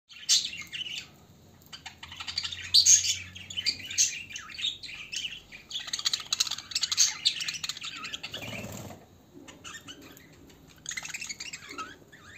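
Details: Budgerigars sunbathing on the Canary Islands chatter in a busy stream of high chirps, squeaks and warbles.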